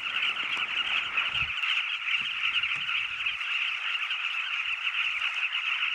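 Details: A dense, unbroken chorus of nesting carmine bee-eaters: many rolling, throaty notes overlapping without pause, with a few low knocks early on.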